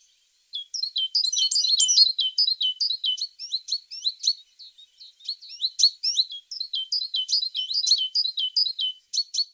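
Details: Energetic tit singing, dense chains of high sweeping whistled notes with rapid varied twitters, a brief pause, then another long busy phrase.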